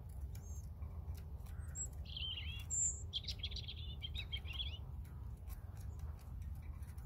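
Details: Song of a European robin: a few faint high notes, then a burst of rapid warbling, chattering trills and twittery phrases midway, fading into quiet background rumble.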